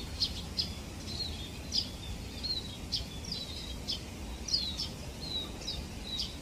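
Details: A flock of scaly-breasted munias gives thin, high, short chirps and piping notes, scattered irregularly several times a second over a steady low background hum.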